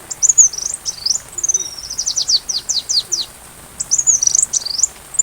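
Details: Sunbird song for training a white-rumped shama: high squeaky twitters lead into a run of rapid, steeply falling chips, then more tangled high twittering phrases.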